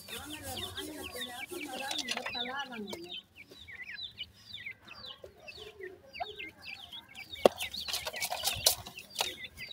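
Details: Several grey francolin chicks calling for their mother, giving many high, quick peeping notes in a busy overlapping chorus. Lower, falling notes run under them early on, followed by a short quieter gap and some sharp clicks.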